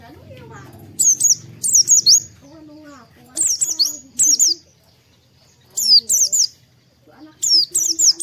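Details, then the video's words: Oriental white-eye chirps played at morning as singing therapy: brief clusters of high, sharp descending notes recur every second or two, over lower warbling calls from other birds and faint murmuring. "PANCINGAN PLECI DI PAGI HARI || TERAPI PLECI AGAR CEPAT BUKA PARUH"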